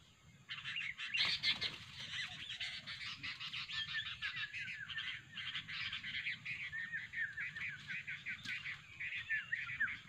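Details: Sooty-headed bulbul lure recording for trapping: loud, dense, excited chattering and rapid tweets in long bursts, a sharp rattling outburst early on, then repeated quick chirped phrases, with low background hum.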